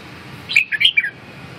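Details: Clear short phrase from a red-whiskered bulbul: three or four rapid, liquid whistled notes swooping up and down, loud and close, over faint low hum.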